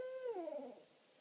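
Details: An owl at night in a meadow on Rattenbury Rd, one of a responsive pair, gives a low steady hoot that bends downward and fades within a second, over light background hiss.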